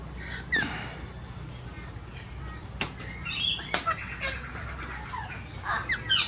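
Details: Wild male Rainbow Lorikeet that comes and goes as he pleases, calling to announce his arrival before taking grapes. Harsh, screechy bursts of calls, with a few sharp chirps. Faint background music.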